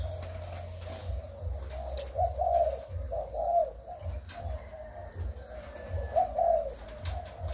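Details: Spotted dove from Malaysian and Thai breeding birds, recorded 23 August 2021, repeating low hollow coos in rhythmic groups about once a second, with steady low-pitched rumbling noise beneath and a few faint clicks.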